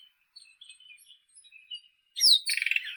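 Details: White-throated robin: soft, scattered high whistled notes, then a loud sweeping whistle dropping in pitch, followed by a rapid buzzy chatter.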